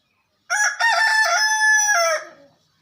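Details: Rooster crowing: one loud, sustained crow of about two seconds, rich in harmonics, with a short choppy opening, a long steady middle and a falling, fading tail, over a quiet background.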